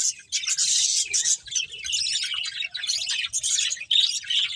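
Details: Chirping from a colourful budgerigar family centred on a breeding pair: bursts of shrill, scratchy warbling chatter separated by short lulls, with bright whistled notes toward the end.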